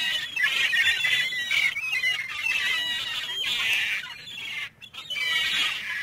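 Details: Gulls calling: harsh, nasal squawks with a strong ringing overtone, given in loud overlapping bursts about once a second, with one short quiet gap near the end.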